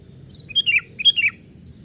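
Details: Young sooty-headed bulbul, playing on branches, recorded to lure wild birds; two quick bubbly phrases of three or four liquid, slurred notes each, half a second apart, over faint low hum.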